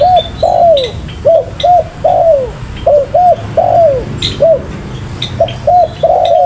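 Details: Spotted dove, named tekukur, in a lively calling bout: a run of short rounded coos and longer downcurved ones, repeated about every half second in uneven groups, with scattered faint high chirps from other birds.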